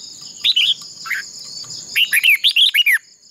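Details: Contest song of a decoy red-whiskered bulbul used for voice training: a brief warble, a pause, then a fast sequence of clear looping whistles, over a persistent shrill insect drone.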